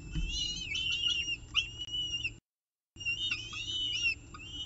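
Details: Nestcam at CSU Orange, 18 October 2018, 6:51 pm, peregrine falcon evening meal: two runs of high, quavering, harmonic wailing calls separated by a brief silence, with low background hum.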